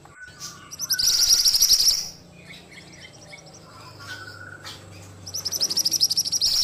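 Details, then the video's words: Ashy tailorbird in lively song: a loud, high, rapid trill lasting about a second, a quieter stretch with soft scattered chirps, then another fast chattering burst starting near the end. "Masteran Burung Mantenan Gacor"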